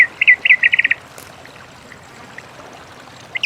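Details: Many-colored rush tyrant in nature giving a brief rapid run of about eight clipped notes at one pitch, followed by near silence and a faint later note.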